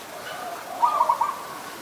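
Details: Adult zebra dove recorded in Ubon Ratchathani, Thailand, on 28 December 2020, giving a brief run of quick staccato coo notes, soft and mid-pitched, over a steady low background hiss.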